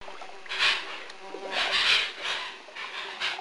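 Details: Hoatzins at Lago Sandoval in 1999 giving hoarse, wheezy hissing bursts, about four in three seconds, over a low steady hum, perhaps a boat engine.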